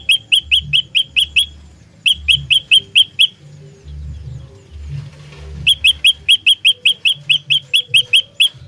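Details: Olive-backed tailorbird in fighting mode, its song used as a trapping lure: bursts of piercing, rising chip notes repeated rapidly, a gap of about two seconds mid-clip, then a long unbroken series, a soft low hum underneath.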